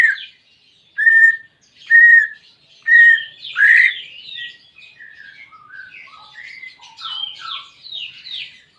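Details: Greater green leafbird song meant to stimulate a caged bird that is reluctant to sing: steady flat whistles about once a second, then a rich varied warble of sliding notes.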